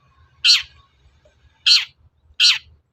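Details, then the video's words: Long-tailed shrike bait call intended to provoke shrikes into singing: three loud, harsh squawks, the last two closer together. "SUARA PANCINGAN BURUNG CENDET AGAR EMOSI & NYAUT GACOR"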